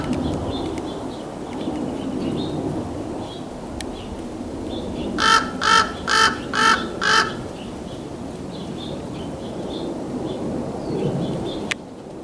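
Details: A Common Raven in San Fernando Valley, California, on 28 April 2024, fighting two Red-shouldered Hawks over food and warning of an incoming hawk, gives a quick run of five harsh, throaty calls about half a second apart over a steady wind rumble.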